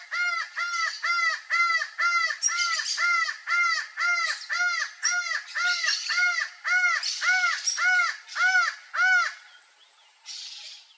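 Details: Acauã, or laughing falcon, delivering a long run of about eighteen rhythmic, downward-arched harmonic notes repeated twice a second, ending abruptly, over faint high-pitched chatter in the background.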